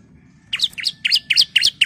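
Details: Female bar-winged prinia calling to a male: a quick run of six sharp, high chirps, about four per second, over a quiet background.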